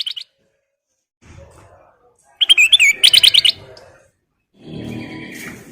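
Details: Black-crested bulbul in energetic nyiul song, a fast run of bright, rhythmic chirping notes lasting about a second, with softer low background noise before and after.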